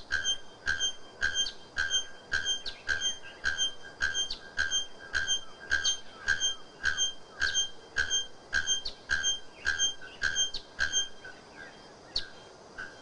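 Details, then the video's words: A bare-throated bellbird (araponga, also called ferreira), a bird of dense forest with a shrill, very high song, gives loud, ringing metallic clanks like a hammer on an anvil, repeated steadily almost twice a second. "ESTA MAJESTOSA ARAPONGA CANTA ALTO COMO E LINDA COMO CONHECIDA COMO FERREIRA AVE DO CANTO ALTO"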